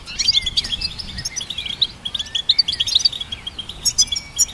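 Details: Goldfinch hybrid song meant to train other songbirds: a lively, nonstop string of tinkling high chirps and short trills, with a few slurred whistles mixed in and near-silent surroundings.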